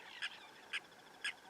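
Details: Blacksmith lapwing, one of two at a dam, giving three sharp, metallic clinks about half a second apart, like a blacksmith hammering steel, over a soft background hiss.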